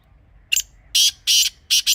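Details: Grey francolin (teetar) call for luring on a hunt: a brief click, then three loud, harsh, grating bursts about a third of a second each, the last two closely paired, over quiet low hum.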